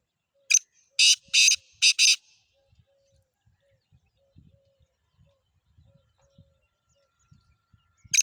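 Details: Black francolin giving its harsh, rasping call of one short note and two paired grating notes, followed by quiet faint knocks, then the start of another call near the end.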